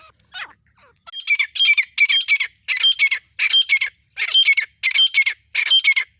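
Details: Female grey francolin, an Indian desi teetar, calling non-stop: loud, harsh, high squawking phrases in bursts of about half a second, repeated roughly every 0.7 seconds after a brief opening note.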